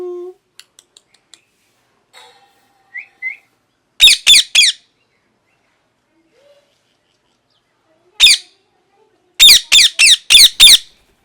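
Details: Parrot calling: loud, harsh, rasping squawks come in a group of three, then a single one, then a rapid run of five. Faint squeaks and short whistled notes sound earlier in a quiet setting.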